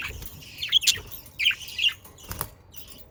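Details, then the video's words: Budgerigar chatter recorded in the Den Haag region of the Netherlands, a pet bird giving rapid scratchy warbles and twittering chirps in two or three short bursts, then fading. "Sounds of Australian parakeets to stimulate your parakeets to sing"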